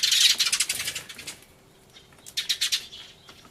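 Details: Eurasian tree sparrows in an uproar on 24 March 2013, camcorder-recorded with a turtledove nearby; an intense opening volley of shrill chirps fading out, then a short second burst of quick calls.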